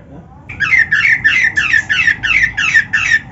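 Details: Oriental magpie-robin (kacer) in a recording used to train captive birds: a series of about eight rasping, scratchy notes repeated evenly roughly three times per second.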